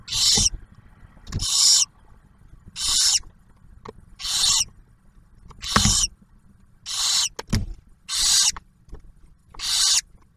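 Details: Barn owl family at a nest near Oak Harbor, Ohio, the male delivering food and the female sharing it with the first hatched owlet; eight breathy rasping hisses spaced roughly every 1.3 seconds, with occasional clicks and thumps.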